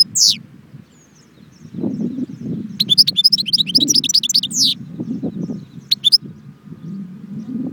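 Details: European goldfinch at Jbel Wahch near Constantine, giving brief bursts of quick high twittering notes between quiet gaps, over a steady low rumble of background sound.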